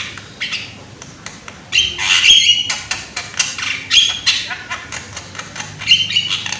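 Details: Young Javan myna with a loud voice, recorded to prompt other mynas to sing: harsh, scratchy broadband bursts mixed with short high whistled notes. Quiet at first, then loud chattering phrases near two seconds and again toward the end.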